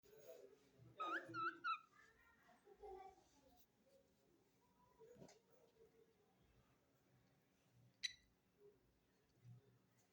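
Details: Cockatiel (Nymphicus hollandicus) gives a quick series of bright, rising whistled calls, then falls mostly quiet.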